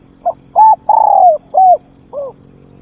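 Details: Decoy spotted dove cooing to draw in wild birds: one phrase of five hollow coos, a soft opening note, then a long, slowly falling middle coo and a lower closing note, over faint high ticking.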